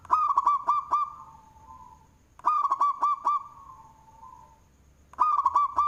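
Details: Local Indonesian zebra dove with a big voice, cooing in manggung style, suited as a lure. Three loud phrases come about every two and a half seconds. Each phrase is four quick hooked coos followed by a softer trailing hum, over a faint steady high whine.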